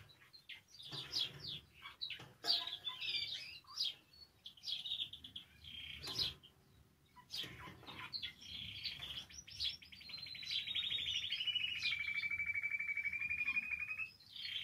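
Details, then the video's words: Canary singing, a varied run of sharp chirps and short rising and falling notes, then a long steady rolled trill held for several seconds near the end; scattered clicks and wing flutters between phrases. "Canario Cantando. (Ideal para ESTIMULAR canto de canarios)"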